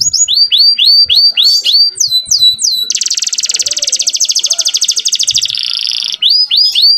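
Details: Young canary in full song, used to bring females into breeding condition: a series of sweeping, downslurred whistles, then a long fast buzzy trill of about three seconds, a shorter trill, and more swooping whistles.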